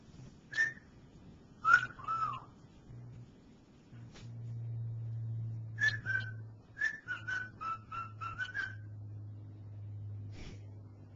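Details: Cockatiel, a male kept as a pet, whistles phrases of "Dixie" that still need work: scattered single notes, then a quick run of eight or so whistles, with a steady low electrical hum underneath.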